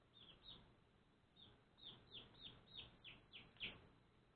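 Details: One-day-old pet baby chicks chirping indoors: short, high, downward-sliding peeps, about three a second, with uneven gaps, over a steady low hum and background noise.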